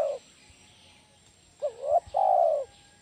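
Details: Spotted dove, a bird used to lure and train other doves, ends one coo and then gives a two-part phrase: a wavering rising note and a long, even, slightly descending coo.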